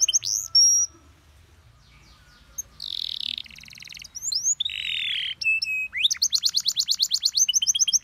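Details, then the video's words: Canary master song, labelled PAUD, for teaching other birds an easy-to-copy phrasing: scattered high notes and a pause, then buzzy rolled phrases, a held whistle, and a closing burst of rapid, evenly repeated sharp chirps. "MASTERAN KENARI PAUD CENGKOK ENAK GAMPANG DITIRU"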